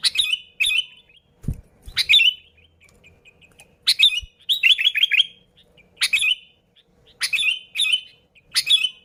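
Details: Bulbul lure recording of a Sooty-headed bulbul singing busily: short sharp chirped phrases repeated roughly every one to two seconds, one phrase a quick rolling series of bubbly notes, a few soft low thumps.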